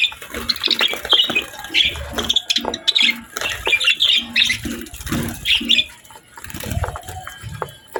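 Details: Feeding pet budgerigars give a lively run of sharp, high twittering chirps, dense in the first half and then thinning out, with scattered clicks and soft knocks from eating.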